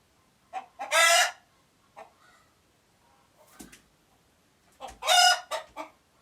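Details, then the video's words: Two loud, rasping squawks from an alert chicken in Uganda, four seconds apart, with faint clucks and low thumping between. "Alert Chicken Noises"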